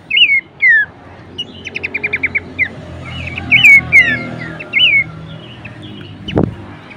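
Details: Bush warbler tutor song for training songbirds: bright looping whistles, a fast run of short stuttered notes, then further curling phrases over a faint low hum, with a sharp knock near the end.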